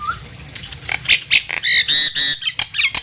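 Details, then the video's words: Nias hill myna song for luring other hill mynas to sing: a short rising whistle, then a burst of harsh, nasal squawks and buzzy notes repeated in quick bursts. "JALAK NIAS GACOR ||Untuk memancing JALAK NIAS yang lain agar ikut bunyi!!"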